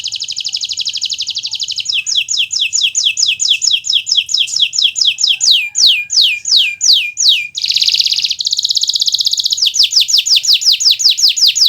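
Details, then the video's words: Canary (Kenari Nusantara) in full song, used as a tutor recording for teaching other birds to sing: fast high trills and rapid rows of repeated downslurred notes, switching between tours, with a brief harsh buzz near the end. "Suara Burung Gacoran Kenari Nusntara, untuk Masteran Belajar Bunyi"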